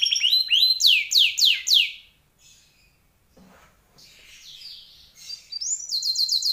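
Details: Canary singing actively in an elaborate song style: loud repeated swooping whistles for two seconds, a quiet pause with faint chatter, then a fresh series of high, rapid rising notes.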